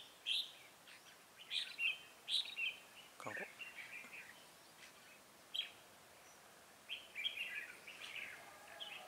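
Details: Red-whiskered bulbul at a trap site, 7 January 2018: lively whistled phrases repeat in quick bursts, with a brief human sound midway and more warbling afterward.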